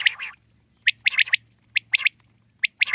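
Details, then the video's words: A wild common quail calls in brisk bursts of short, bright notes grouped in twos and threes after a single lead note, over a low steady background hum. "Common quail wild life sound /jungli Batir ki awaz"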